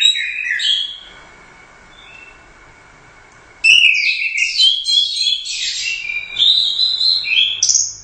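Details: Orange-headed thrush, a champion competition bird, opening with a short high flourish, falling silent for nearly three seconds, then pouring out loud, dense, high whistled phrases.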